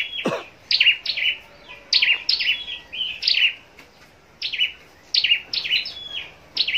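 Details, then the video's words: Contest-kept scarlet-backed flowerpecker singing bright, high-pitched chirp clusters in quick bursts, opened by a single downward-sweeping note, falling quiet briefly near the middle, then resuming its clipped chirping. "Chim Sâu Đầu Đỏ Hót Đấu"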